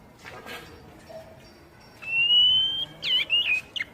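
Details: Oriental magpie-robin song, played to provoke untrained captive birds, both wild-caught and home-raised, into answering. After a quiet start comes one long, clear, slightly rising whistle, then a quick burst of varied, twisting chirpy notes.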